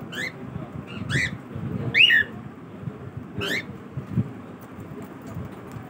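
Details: Pet cockatiel in the morning, calling with four bright, upward-sweeping chirps spaced about a second apart, one longer and bending, with a faint background hum.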